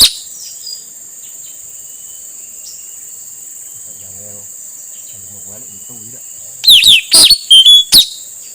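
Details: Male puling (nuri tanau) song used to lure wild birds: a long near-silent stretch with a constant high hiss, then a loud closing burst of four quick downslurred whistles and a short flat whistle.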